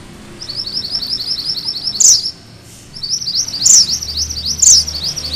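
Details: Sunda bush warbler delivering its 'ngerol' rolling song, used to tutor and provoke magpie-robins: quick, high, repeated sawtooth notes in running phrases, punctuated by three sharp, squeaky accents.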